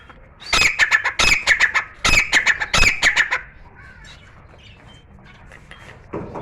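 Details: Grey francolin (Dakhni teetar) kept indoors in a room, singing continuously: a burst of loud, harsh, rapidly repeated ringing notes for about three seconds, then fading to quiet room noise.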